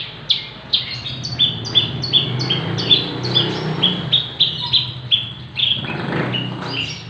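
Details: Javan bush lark, six months old, giving a steady series of sharp high chirps, roughly two or three per second, over low rumbling background noise.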